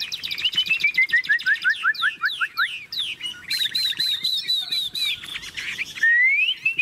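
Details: Tame caged Chinese hwamei singing with its cage cover opened, kept for song: rapid runs of slurred whistles, each note sliding downward in a descending series, then a long warbled phrase and a rising whistle at the end.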